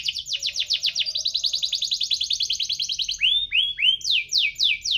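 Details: Canary in active 'gacor' song, chirping and rolling ('cuit-cuit ngerol'), used as a lure for canaries slow to sing; quick downward-sweeping whistles run into a long fast rolling trill, then upward-curving notes and steep falling slurs.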